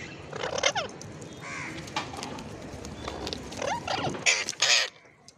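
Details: Parakeet in India calling with harsh, short screeches: a few falling squawks early, then loud rasping bursts near the end, over steady background hiss and faint chatter.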